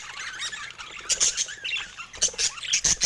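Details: Pet budgerigars chatter with busy high chirps and scratchy warbled notes, broken by sharp clicks and taps in a calm indoor setting.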